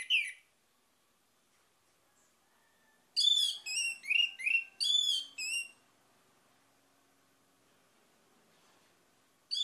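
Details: Orange-headed thrush lure song meant to prompt other birds to sing: a quick run of five or six varied whistled phrases, each mixing high and mid notes, set between long silent stretches, with short phrases opening and closing.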